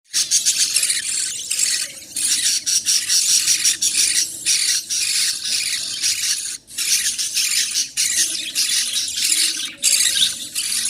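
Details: Budgerigar chicks in the nest give harsh, hissing squeals that run almost without pause as they beg while the mother bird feeds them.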